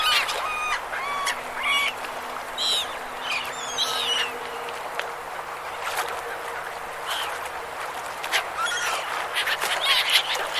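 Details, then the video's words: Gulls on a river: short, nasal, strident calls repeated quickly at the start, then scattered squawks against a constant hubbub of many birds calling together. "Seagull Sounds River Seagulls"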